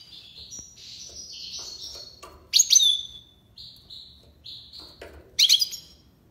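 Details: European goldfinch tiwawati-style song of wavering buzzy trills and twittering notes, broken twice by loud ringing, jangling bursts about three seconds apart, with some soft low clicks in the background.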